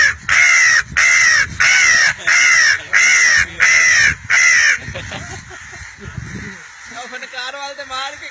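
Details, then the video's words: Seven harsh, nasal caws from a crow ring out in a steady, evenly timed run, each note slightly falling in pitch, followed by quieter human voices and a faint wavering tone. "KING of CROWs آواز پے کوے بھی حاضر"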